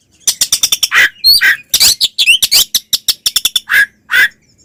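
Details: Oriental magpie-robin giving its fighting song, meant to provoke other magpie-robins: loud, rapid bursts of harsh, buzzy notes mixed with sharp upward-swept whistles, delivered in quick clusters separated by brief pauses.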